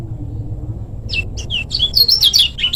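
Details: Lemon-bellied white-eye from Lombok, short-speed style, singing actively. After a quiet first second, rapid high, thin chirping notes start and grow denser, sharp whistled slurs tumbling up and down over faint background hum.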